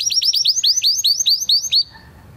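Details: Spanish Timbrado canary of 2020 breeding giving training song: about a dozen quick, bright, downslurred whistled notes repeated in an even series, then near silence.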